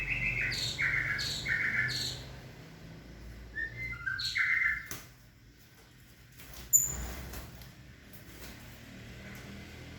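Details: A caged white-rumped shama pair getting acquainted, with the male unwelcoming to the female. Clear whistled notes are repeated in quick succession, then a pause and a sharp click over a low indoor hum.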